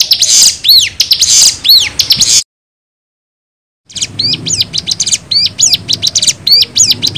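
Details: Bar-winged prinia lure recording. Arched whistles with buzzes, then a pause of silence, then quicker sharp, high chipping notes in uneven clusters.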